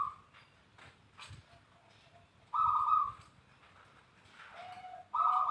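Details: Zebra dove lure song for prompting other doves to sing: two strong rolling coos, with a softer, lower cooing note and scattered faint clicks and knocks in between.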